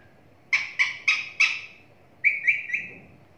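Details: Pet talking parrot giving four quick harsh harmonic notes in a row, then a pause and three softer, slightly longer whistled notes, all fairly high-pitched and clear against a quiet indoor background.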